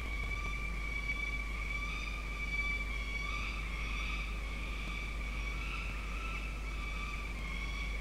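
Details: Steady droning tones from traffic or machinery over low rumbling noise, with no animal call standing out.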